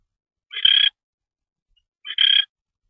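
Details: Barn owl during a mouse delivery on the night of 25 February 2013. Two brief, harsh, rasping screeches sound about one and a half seconds apart, with quiet between them.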